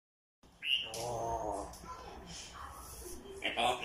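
African grey parrot mimicking speech: a sharp whistle, then a burst of word-like babble and a few more whistled notes, with faint room noise.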